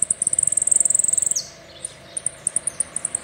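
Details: A saffron finch delivers a rapid, even string of very high ticking notes, breaks with one downward slur, and after a pause resumes with spaced high chips; the song is described as a complete "el rollo" song.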